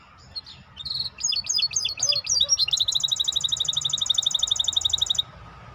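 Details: Maestro bird song opening with scratchy chattering notes that build into a loud, fast, very even trill of about forty identical high notes, then stopping abruptly; low background hum.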